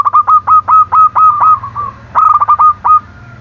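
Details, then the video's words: Zebra dove cooing to provoke rivals into calling back: a nearly continuous run of short, evenly paced mellow notes, a brief pause, then a quicker stuttering burst and a few more spaced notes, over a low steady hum. "Perkutut gacor dor, memancing emosi lawan bunyi"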